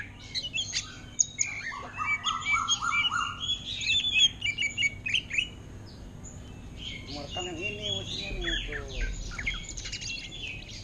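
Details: Caged greater green leafbird singing in the style of an orange-headed thrush: a fast jumble of high chirps, short whistles and a buzzy trill, fading into softer scattered notes with steady background hum.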